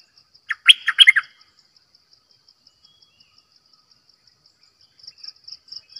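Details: Decoy bulbul giving one short, rich warbled phrase of quick liquid notes near the start. A steady, fine pulsed ticking runs high in the background throughout.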